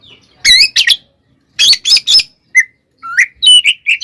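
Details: Oriental magpie-robin 'tarung konslet' fighting song meant to provoke other magpie-robins: harsh scratchy double bursts, then clear rising and falling whistled notes in quick succession.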